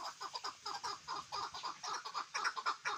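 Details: Hunting chukar partridge calling in a quick series of short, clucking notes, roughly two per second, each slightly dropping in pitch, sounding close and somewhat enclosed.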